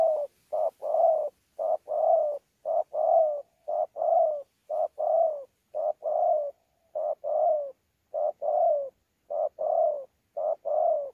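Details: Spotted dove, a wild-caught mixed local bird, Sa Thầy, Vietnam, 26 November 2019, in 'đấu' song with 'gù' coos: a long steady series of low paired coos, short note plus longer drooping note, around once per second, quiet background.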